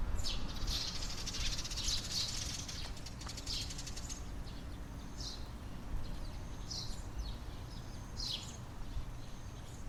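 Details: Morning sparrow chorus at 6:30 am: several sparrows give short, high chirps in loose, overlapping bursts, several per second, over a steady low rumble of distant background noise.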